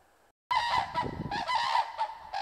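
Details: Common cranes in Masovia, Poland, giving their loud trumpeting klangor: a brief quiet pause, then overlapping resonant honking calls from several birds, rough and rolling, sounding almost continuously.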